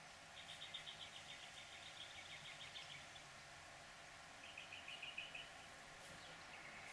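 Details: Hooded oriole giving a fast, dry chatter of short harsh notes at about four per second for nearly three seconds, then a shorter second burst, over a steady low background hum.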